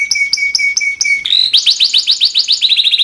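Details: Timbrado canary singing: a series of clipped, evenly spaced high whistled notes, then a fast rolling run of bright rising notes.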